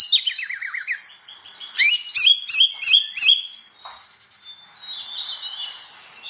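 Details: Oriental magpie-robin in morning ngeplong song, provoking others of its kind to sing; a falling series of slurred whistles, then a rhythmic volley of sharp chirps, fading into softer warbling.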